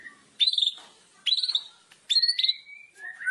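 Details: White-rumped shama singing a loud kretekan song meant to provoke other shamas: three clear high whistled phrases about a second apart, each a bright sweeping note with a short trailing flourish.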